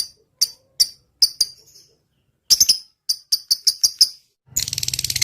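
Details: Lovebird in full song, used as a training recording for other lovebirds: sharp high chirps, single and in quick clusters of two to five, separated by short pauses, ending in a harsh buzzy rattle.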